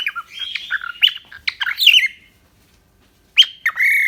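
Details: Pet cockatiel in Indonesia mixing harsh squawks with chirps and wavering whistles, then going quiet before a closing squawky note.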